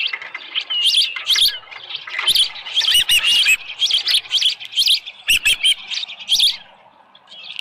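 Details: Osprey calling from its ranch nest early on 24 July 2018, about 6:52, with a headless fish; bouts of high shrill chirps, clustered and intense in the middle, fading toward the end.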